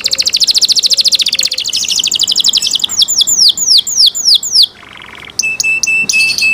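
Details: Canary singing a cenkok-style phrase: a fast dense trill, a run of descending whistled sweeps, a lower steady buzzy tone, then sharp stacked chips and a high sustained whistle.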